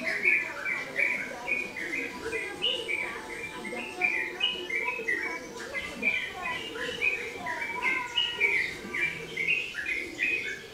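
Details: Yellow-vented bulbul (trucukan) in song, pouring out bubbly, chortling phrases of short mid-pitched notes, one after another with barely a pause; a faint murmur lies underneath.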